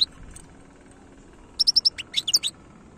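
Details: Algerian European goldfinch in khalawi-style song: a quick run of four identical high, sharp notes followed by a tumbling burst of liquid twitters, with a faint steady hum behind.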